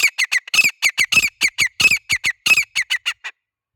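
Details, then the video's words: Grey francolin (teetar) call: a loud run of harsh, squawking notes, about five a second for three seconds, then silence. "Teetar ki awaaz/ Teetar ki boli/ Teetar voice/ Teetar sound"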